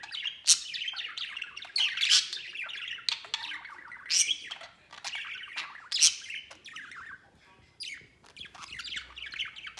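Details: Pet budgerigars out of the cage, one white bird flying and playing; loud scratchy chirps and buzzy warbles in clustered bursts, with rasping squawks and short quiet gaps.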